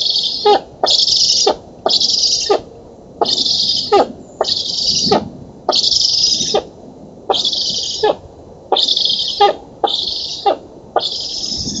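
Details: Nestling black storks in Poland, filmed at an oak nest on 11 August 2017 while being fed, give about ten wheezy, hissing calls in twelve seconds, each bounded by dull clicks.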